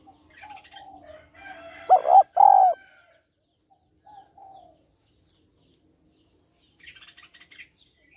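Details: Female spotted dove calling to stimulate males: soft low coos, then one loud phrase of a quick double coo and a long falling coo; faint chirps of other birds follow.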